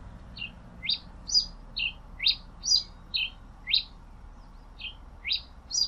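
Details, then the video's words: Pileated finch singing a steady run of crisp high chirps, some upward-sweeping, spaced about half a second apart over faint low-frequency hum. "Canto del Granero Cabecita de Fósforo"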